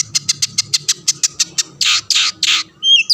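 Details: Long-tailed shrike provoking rivals: evenly spaced dry clicking notes, about six a second, followed by three broad harsh rasps and a final thin whistle.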